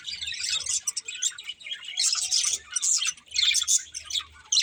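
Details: A breeding pair of budgies gives bursts of high squeaky chirps and warbles separated by short pauses, with a soft low hum in the background.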